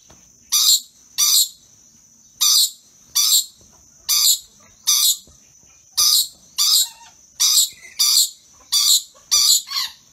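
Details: Excited pair of rainbow lorikeets at play, uttering frequent shrill grating squawks, about thirteen brief bursts in ten seconds at uneven spacing, against a steady faint high-pitched background tone.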